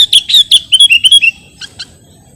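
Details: Sooty-headed bulbul in a lure or tutoring recording: a rapid run of about ten bright chirping notes that slowly drop in pitch over a second and a half, then two soft faint notes.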